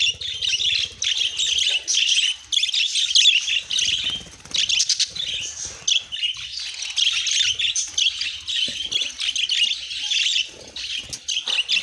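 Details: Continuous bright warbled chirps from budgerigars, choppy and fast, with a soft low background hum.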